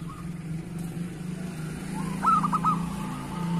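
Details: Zebra dove of local stock, kept as a lure, delivers one short phrase of clipped coos trailing into a faint trill, over a steady low rumbling hum.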